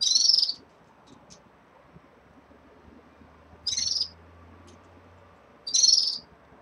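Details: Red-fronted serins in a cage at the start of moult: three loud, bright, rasping chirp bursts spaced roughly three and two seconds apart, with a faint low hum between them.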